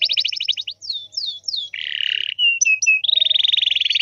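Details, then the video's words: Canary singing to set off other canaries: a rapid trill, several downward whistled sweeps, a harsh buzzy roll, short clipped whistles, then a steady fast rattling trill. "SEKALI PUTAR KENARI LAIN PASTI NYAUT"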